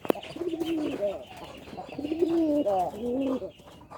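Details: A native (desi) domestic pigeon gives low, throaty, rolling coos in two drawn-out bursts.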